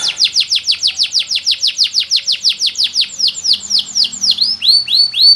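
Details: Male Abyssinian yellow canary in song: a long run of clear downward-sweeping whistled notes, about four each second, slowing and spreading out near the end.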